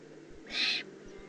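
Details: Young Eurasian eagle-owl, Eifel, June 2016: one rasping, noisy hiss lasting about a third of a second, broad and airy, standing out against faint low hum.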